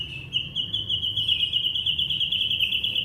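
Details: Young white-rumped shama from Indonesia, its song meant to prompt silent shamas to sing: a steady, very fast trill of repeated high notes that runs without a break for about three seconds.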